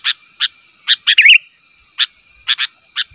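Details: Sooty-headed bulbul giving its call to draw replies from other bulbuls: sharp, separate chirps spaced irregularly, one brief rolling warble in the middle, all over a faint continuous high hum, otherwise quiet.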